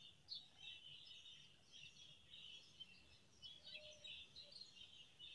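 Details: Brown rock chat (Oenanthe fusca) among rocks, extremely excited for food, giving a steady stream of high, thin chirps and twitters with brief louder bursts, over a low background rumble.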